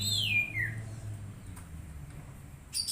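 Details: Oriental magpie-robin used for training an untrained bird: one long whistle sliding steadily downward, then quiet, ending with a short buzzy chirp, over low humming background.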